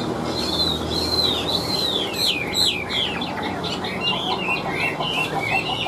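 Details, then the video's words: Wild-caught Chinese hwamei singing in a cage: a few long sweeping whistles, then quicker descending slurred notes repeated in a loose rhythm, ending in softer fragmented phrases. "Họa Mi Chơi Cánh, Đuôi Lá Vả - Hót Hét Tốt Giọng Căng"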